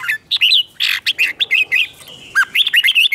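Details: Competitive song of a newly caught red-whiskered bulbul, used to provoke other birds into singing duels: a loud, choppy string of short whistled and warbled notes running almost nonstop for three seconds.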